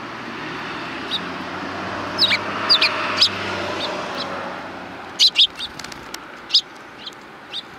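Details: On 12 April 2020, sparrows coming to be fed on a Tenmangu shrine's front approach utter scattered high, sharp chirps, first singly, then a loud cluster, against steady outdoor hiss.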